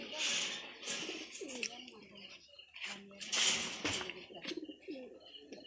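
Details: Domestic pigeons of local and foreign bloodlines, indoors, giving soft low coos that swoop up and down in short curved phrases, with sharp clicks and scuffing between them.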